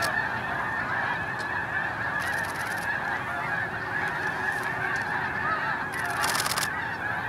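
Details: Early blast-off of a Snow Goose flock at Hagerman NWR: dense, yelping honks merge into one steady chorus, broken by short hissing surges of rushing wings.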